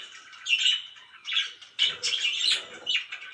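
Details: Pet budgerigars, loud birds, chirping in bursts of warbled, buzzy notes with scratchy squawks, pausing briefly between phrases.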